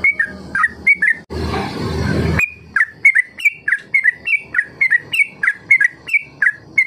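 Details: Yellow-vented bulbul ropel song, a lure recording to get young trucuk singing long ropel; slurred whistled notes in a fast series, briefly covered by a second of loud rushing noise early on.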